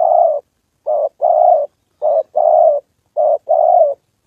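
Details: Spotted dove kept as a trapping decoy during a training session, meeting a wild bird: low hollow coos in paired phrases, a short note followed by a longer, slightly falling one, repeated three times in quiet surroundings.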